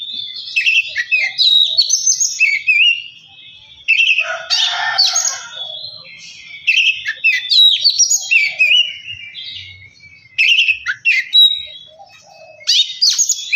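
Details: Oriental magpie-robin song used as a lure to get another bird singing vigorously and worked up; loud, varied high whistles and harsh chattering phrases in rapid bursts, with short pauses between bursts.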